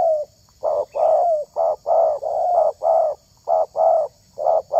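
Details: Spotted dove used for luring other doves, delivering a steady string of hoarse coos about one per second, some notes run together into longer drawn coos.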